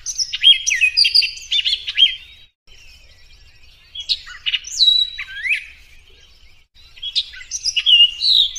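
Orchard oriole song: three rapid, jumbled bursts of clear whistles and slurred notes, each about two seconds long, separated by short pauses.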